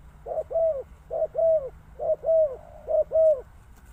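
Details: Close spotted dove calling clearly: four rapid two-part coos, a brief hoot then a longer sliding, slightly falling croon, evenly repeated with little background noise.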